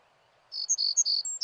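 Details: Little bunting (Emberiza pusilla) song: a quick, very high phrase of about six thin notes, alternating lower buzzy tones with sharper piping ones, over a faint background hum.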